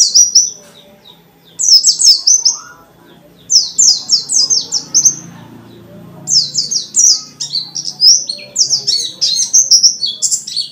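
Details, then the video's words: After a short pause, a dakun white-eye delivers nearly continuous strings of high, sliding, downslurred notes. Its energetic forest-style song with many fill-in phrases is meant to stir other white-eyes to sing. "Burung pleci dakun gacor banget,ngalas rapet nyambung isian banyak"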